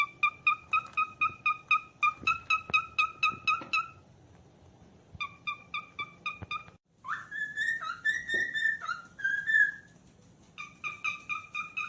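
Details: Cockatiel calling: quick runs of short clear chirps repeated about twice a second, then a pause, a longer rising-and-falling whistled phrase, and more chirp runs.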